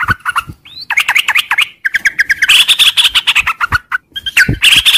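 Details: Sooty-headed bulbul giving long, continuous 'ngropel' style song in the morning: dense bursts of rapid chirps and squawky, bubbly notes, some rising, packed together with short pauses between phrases.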